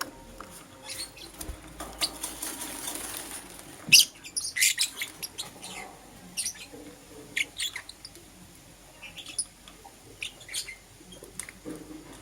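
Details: In the morning, a green Personata lovebird and a yellow pastel pied lovebird give high, scratchy chirps, starting with a hissy, rasping stretch, then irregular sharp chirps repeated every second or so.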